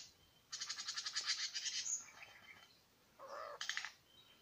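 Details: Two male Superb Lyrebirds at Lookout Point in New England National Park: rapid dry rattling series of repeated clicks, then a lower buzzy phrase and a short harsh burst, varied mimic-like song.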